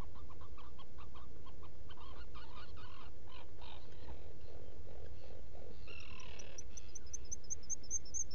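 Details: Black Guillemot at a rock-crevice nesting burrow, Seal Island NWR, Maine, early morning of 18 June 2018. A rapid series of short, buzzy piping notes is followed by a train of very high, thin, evenly spaced whistles, with constant low hum behind.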